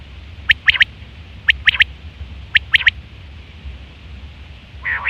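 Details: Quail in September 2023, sounding the hunting and mating call: three clean triple-note phrases spaced about a second apart, then a brief rough note at the end, over a low hum.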